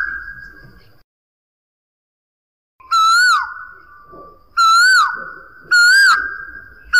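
Asian koel giving loud, ringing whistled notes that rise and waver, three in quick succession about a second apart, over a faint steady hum.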